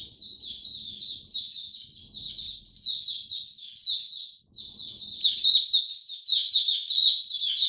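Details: Hobby-kept oriental white-eye in cold rainy weather delivering a long, nearly continuous run of fast, high, bubbling twitters with one short pause midway; faint low background rumble.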